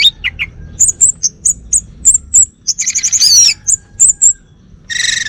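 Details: Captive male orange-headed thrush of the Bali type delivering a lively, very high-pitched song of sharp ticking notes, rapid trilled runs and a dense, buzzy chattering burst near the end, with short gaps.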